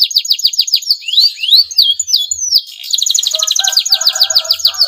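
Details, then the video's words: Male canary in breeding condition singing to stimulate rival canaries: quick downslurred notes and rising whistles, then a steady rapid trill with soft lower chattering beneath. "CUIT CUIT KENARI JANTAN BIRAHI UNTUK MERANGSANG BUNYI KENARI LAWAN AGAR MAU BUNYI DAN GACOR"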